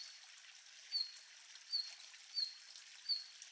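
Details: A red-flanked bluetail in winter gives four thin, high, slightly falling whistled call notes, one about every two-thirds of a second, over a soft rushing background like running water.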